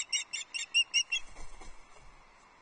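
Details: Female osprey at a Loch Arkaig nest, 6 July 2024, fish calling to her mate, who does not answer; six sharp whistled chirps at a steady pace, then low rumbling nest noise.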